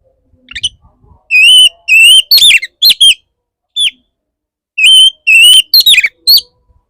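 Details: Courting male Oriental magpie-robin singing to a female: series of loud, clear whistled notes, some steady and some falling, delivered in tight groups with short gaps and a brief quiet start.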